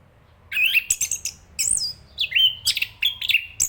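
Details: Chestnut-capped thrush (Zoothera interpres) song of rich whistles mixed with sharp high chips and downslurred notes in a fast, varied sequence over a light background hiss.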